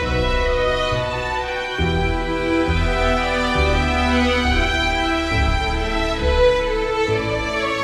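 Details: Instrumental theme music with sustained chords and a steady low bass line changing every second or two; no animal voices.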